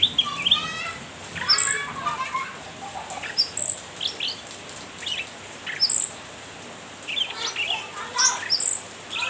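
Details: Cucak ranting giving its lively chattering call to provoke a rival, kept as a lure and tutor bird: rapid scratchy chirp bursts, then sharp high squeaky notes repeated every second or two, with brief pauses between.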